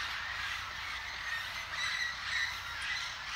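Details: A flock of red-tailed amazons (Amazona brasiliensis) in flight, March 2020 at Paranaguá, Paraná, Brazil, gives harsh, overlapping squawks, about two a second, blending into a dense, hissy chorus.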